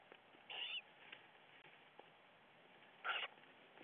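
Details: A Western Screech-Owl owlet, recorded around 5:02 am, gives two short, raspy, hissing bursts about two and a half seconds apart over a faint steady background hiss.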